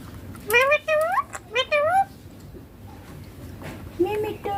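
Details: Baby ringneck parrot talking, copying words such as mummy and papa in Hindi: four quick, tonal, voice-like syllables with bending pitch, followed by a pause and then a softer rising syllable.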